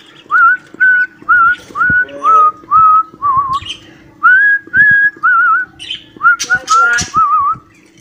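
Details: A cockatiel whistling a learned nursery tune: rapid clean whistled notes, several with warbling or upturned ends, with a few harsh, broadband chirps near the end over a constant low hum.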